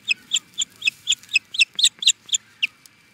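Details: Osprey reacting to an intruder, Charlo, Montana, USA: around a dozen shrill whistled chirps delivered quickly, about four per second, fading out at the close.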